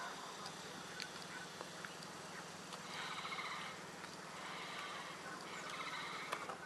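A painted stork chick breathes heavily in raspy, wheezing pulses that swell and fade over a few seconds, against a steady hiss of background noise.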